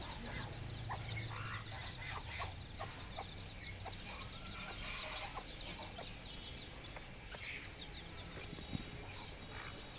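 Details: Baby chicks peeping in a dense, continuous chorus of short, high, downward-slurred chirps over a steady low hum.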